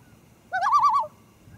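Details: Wild common loon on Great East Lake, Wakefield, New Hampshire, early morning of 1 August 2012, recorded from a canoe with a Panasonic HDC-TM90 camcorder: a brief, rapidly wavering call around half a second long, over a low hum of background.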